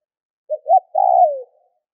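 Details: A single spotted dove phrase meant to prompt other doves to call: a short note, a rising hooked note, then a long warbling coo sliding downward.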